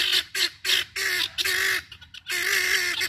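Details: Helmeted guineafowl keets out on a stroll, likely in Georgia, give harsh, grating squawks in quick bursts, about two a second, with short pauses between runs; several birds may be calling together.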